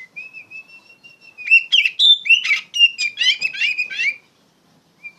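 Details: Oriental magpie-robin singing loudly as a model for training other songbirds; a long thin steady whistle leads into a rapid, jumbled stream of sharp sweeping notes and harsh chatters lasting about three seconds.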